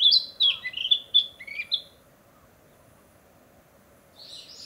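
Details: Narcissus flycatcher declaring its territory in the breeding season in a forest of young leaves: quick, bright whistled phrases with fluty slurs lasting under two seconds, followed by quiet and a faint later phrase.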